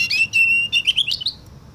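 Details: Canary copying a Woodlark song, called Tourli: a clear, steady whistled note, then a faster string of rising and falling whistles that fades away at the end.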